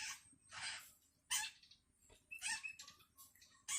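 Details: Hungry Long-tailed Shrike chick calling for its parent, giving harsh, raspy broadband bursts in uneven runs, roughly every half second to second, with quieter scratchy notes between them.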